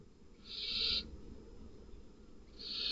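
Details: Inside a barn owl nest box at night, where a male that is not the father attacks the chicks. One clean hissing screech lasting about half a second, then quiet, then another hiss starting.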